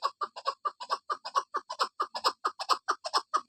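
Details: Rapid chucking from a female chukar partridge: short, throaty clucks repeated evenly, more than two each second, in a clean, quiet recording.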